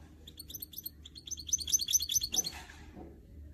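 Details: Kept goldfinch mule, bred from canary and goldfinch, delivers a rapid run of high repeated notes, about two per second, ending in a short rustling noise.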